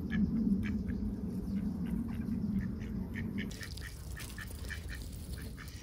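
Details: Ducks filmed close by under heavy overcast skies, busy with their daily routine, give quick quacking notes about three or four per second. Deep rumbling background noise fades partway through.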